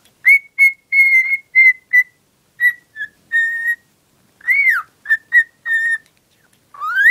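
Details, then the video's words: Female cockatiel kept indoors, in love with a soft toy, pours out quick clear whistles, then a swooping falling note, more short whistles and a closing rising slur. "Valkparkiet Lola fluit deel 2"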